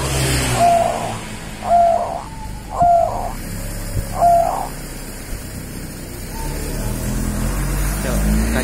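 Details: Local Javanese zebra dove from the wild, giving four short rising coos about a second apart, then trailing off into steady low background noise.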